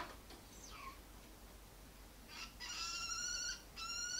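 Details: Male kestrel defending its nest in a window flower trough on a skyscraper's 15th floor against three house cats behind glass. After a faint downslurred note, loud harsh, held squealing calls come in two bursts near the end.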